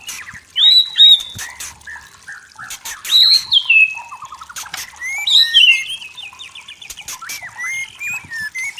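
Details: White-rumped shama, a forest songster with a clear voice, giving loud, separate whistled phrases that swoop up and down, with short clicks and chips between them.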